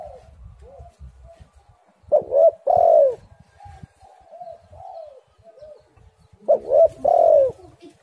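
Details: Spotted dove call used to lure and stir doves into song: two loud phrases, each a stutter of short coos and a long sinking coo, with quieter soft coos scattered in between.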